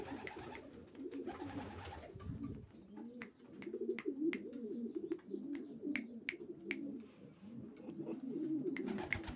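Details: Several racing pigeons give soft, throaty coos that swell and fade in overlapping waves, while scattered sharp clicking taps sound in the background.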